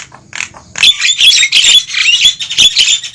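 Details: Javan myna lure calls for trapping wild mynas: after a quiet start, a dense, unbroken wall of harsh, grating squawks and chatter from what sounds like several birds.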